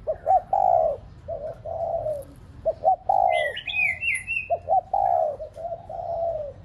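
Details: Repeated low, hollow cooing phrases from a decoy spotted dove, played so pet doves will coo, each made of short clipped notes and a longer falling coo, with a brief high twittering bird in the middle.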